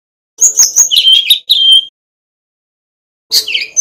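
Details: Male Brown-chested Jungle Flycatcher from Bali, used as a master recording for young birds, delivers a fluid run of high whistles and lower warbled notes, then a short pause and another opening phrase.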